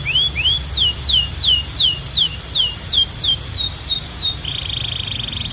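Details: Canary song, loud and clear: two rising whistles, then a measured series of about eleven downslurred whistled notes roughly two per second, ending in a brief buzzy trill.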